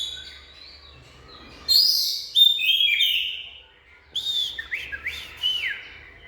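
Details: Rich whistled song of an Oriental magpie-robin, a bright warbled phrase, then a pause and a series of quick down-slurred whistles.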